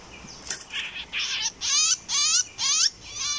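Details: Caged olive-winged bulbul used as a decoy bird for trapping, giving a run of loud, bubbly, rapidly wavering warbled phrases, each about half a second long and separated by short pauses, after a few softer opening notes.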